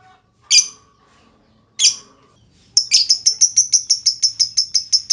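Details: Lovebird used to prompt other lovebirds to sing: two separate shrill squawks, then a sustained rapid run of sharp high chirps, about four per second, the 'ngetik' leading into a long 'ngekek' trill.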